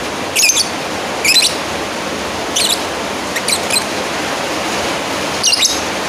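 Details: A lovebird calls out to a rival with short, shrill, buzzy chirps, a few bunched close together and others separated by longer gaps, over continuous hiss.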